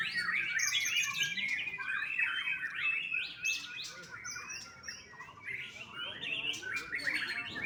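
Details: Young white-rumped shama bred at a bird farm in Bali, singing a long, varied string of rich whistles and rapid chattering notes, with brief pauses between bursts.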